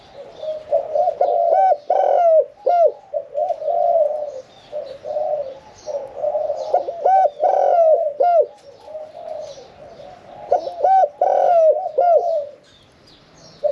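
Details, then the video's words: Captive Spotted dove, aged one year four months in the cage, performing the 'throw, one kuk' song: repeated low coo phrases with bent, hooked notes and short silences between bursts. "ฟังเสียงขันนกเขาใหญ่ { ขันโยน 1 กุก} ,{นกเสียงกลาง}"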